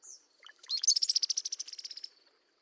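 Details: Mated pair of Brown-headed Cowbirds duetting: the male's thin high whistle and low liquid gurgles, then the female's fast, dry, high rattle call of about fifteen notes.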